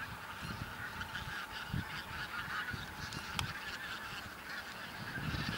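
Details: Huge wild flock of Bean Geese on a field, Texel, Holland, late November 2014: a continuous, busy chorus of overlapping nasal honks, with a sharp click and light wind in the background.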